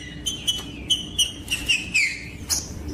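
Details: Green-winged saltator singing, played to warm up and stimulate other saltators: a series of clear whistled notes held near one pitch, with sharp clicks between them and a steady low hum underneath.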